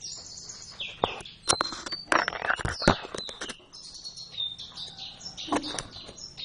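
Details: Duet practice by Javan oriental white-eyes in the ngeriwik manner, with rapid, high, twittering chirps and slurred whistles mixed with frequent sharp clicks and rattling knocks.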